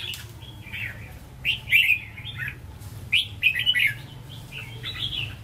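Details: Caged red-whiskered bulbul singing in the Hue style (giọng Huế, hót ché): two bursts of bright, warbled chirpy phrases about a second and a half apart, separated by quiet pauses, over a faint low hum.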